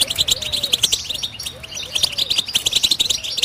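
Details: European goldfinch pours out quick, high-pitched twittering and jangling chirps, while faint, low, arching whistles come and go in the background.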